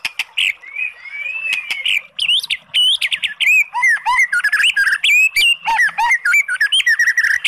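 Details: White-rumped shama song used to provoke a sluggish bird into singing: rich, fast, varied clear rising and falling whistles, sharp chips and short rattles, delivered almost without pause.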